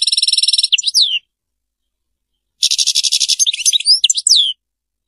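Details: European goldfinch singing in the Serfati style: a fast pulsed trill ending in slurred twitters, then after a pause a harsher rolling rattle mixed with bright chirps and a falling note.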